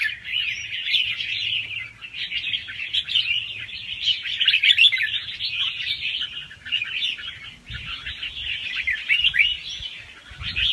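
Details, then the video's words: Young wild red-whiskered bulbul singing soft, fast-paced phrases with doubled notes, used to excite other birds. Dense, continuous chattering warble of quick rising and falling whistled notes, with faint low rumbling beneath. "ลูกนกกรงหัวจุกป่าคัดหัวปากเบาๆ รอบเร็ว มีลักเบิ้ล ใว้เปิดกระตุ้นนกฟังนกคึก"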